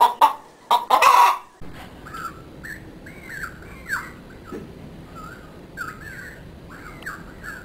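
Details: Chickens of a backyard flock in a yard pen. A loud burst of clatter opens, then arched, tonal calls repeat irregularly every second or so over quiet background hiss.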